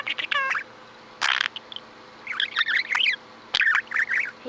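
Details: A pet budgerigar sitting and chirping: a falling whistled note early on, then bursts of warbling, wavering chirps in several short phrases, with a woman's voice nearby.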